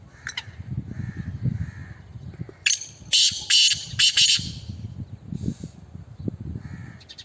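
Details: Black francolin giving a loud, harsh, grating burst of rasping notes lasting about two seconds, with faint thin chirps before and after and a low rumbling background.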